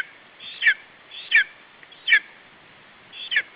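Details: Lesser spotted eagle chick on its nest in Estonia, 21 July 2012, guarding food from a parent bird: loud piercing two-part squeals, a faint lead-in then a sharp falling cry, four times at irregular intervals, with steady hiss behind.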